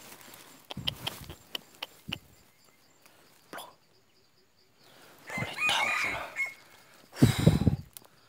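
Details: Red junglefowl used as a decoy for trapping, recorded 2 April 2019: scattered sharp knocks and clucks, then a long drawn-out hoarse crow, and a loud rough burst near the end.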